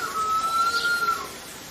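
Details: Harpy eagle in a forest uttering a single steady whistled wail lasting about a second, level and pure with a faint rise, against low background hiss.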